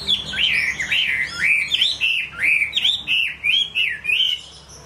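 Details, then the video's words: A Chinese hwamei sings a rich, unbroken run of looping whistled phrases, each slurring up and down, about one a second, over a quiet background. "Họa mi hót"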